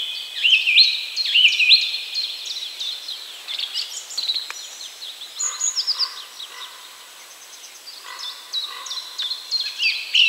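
Song thrush singing bright, high whistled phrases, the first one repeated three times in quick succession, with a busy chatter of other birds behind.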